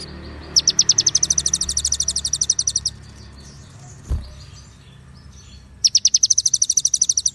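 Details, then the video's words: White-rumped shama training recording with konin, cililin and ciblek phrases: long fast trills of high sharp notes, about two seconds each, with a soft thump and a quiet pause between them. "MASTERAN MURAI BATU | KONIN ISIAN CILILIN DAN CIBLEK | SUARA JERNIH DENGAN JEDA"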